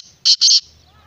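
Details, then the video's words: Two loud, harsh, buzzy notes in rapid succession from a black francolin (kala teetar), the second note longer and doubled, then a faint low hum. "Black Francolin kala Teetar"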